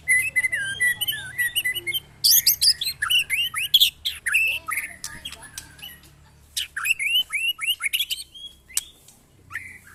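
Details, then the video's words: Murai batu tested alongside neighbours' birds. Looping whistles give way to harsh squawking chatter and fast downslurred notes, with a steady low hum underneath. "test mental burung murai batu bersama teman teman"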